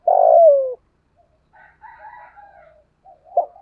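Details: Decoy spotted dove of the 'giọng thổ' voice style, used for lure training: one loud, long, throaty coo that slides down in pitch, followed by soft, faint murmuring notes and a brief low coo.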